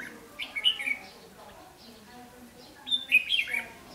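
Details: Red-whiskered bulbul kept as a caged fighting decoy to draw in wild males, 8 July 2016; two lively clusters of whistled, slurred notes, the second richer, over a soft low hum.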